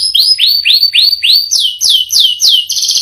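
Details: Canary in full, energetic song with a long rolling phrase: a fast series of sweeping downward whistles repeated about three per second, shifting higher midway, ending in a rapid trill.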